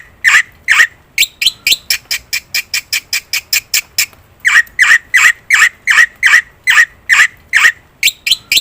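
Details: Black-winged myna in full song, used as a lure and tutor recording for other birds: harsh squawking notes repeated rapidly about twice a second, with a brief pause midway before the burst resumes.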